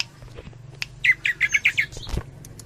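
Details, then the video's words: Greater green leafbird (cucak ijo) in a Cililin tembakan-style song: a quick burst of about six sharp, buzzy, repeated notes, preceded and followed by scattered faint clicks and a low steady hum. "Cucak Ijo 86 Tembakan Cililin,kapas tembak"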